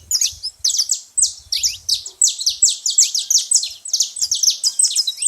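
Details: Loud saffron finch chatter at a feeding spot: continuous rapid high chirps, strongly overlapping in a bright, busy stream, with almost no other sound.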